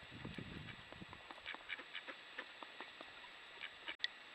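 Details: Urban Mallard ducks wintering in the Duluth Superior area, roosting on Lake Superior, caught by trail cam: a run of short, nasal quacks in quick succession, a few louder low notes early, then a sharp click near the end.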